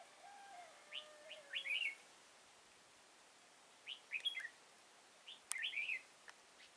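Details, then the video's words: Red-whiskered bulbul song recorded while trapping at Kim Bôi, Hòa Bình, on 6 April 2017, a caged decoy singing against wild birds: short bursts of warbled, chirpy phrases around one second long, separated by pauses, with faint lower sliding whistles early on. "Bẫy chào mào Kim bôi"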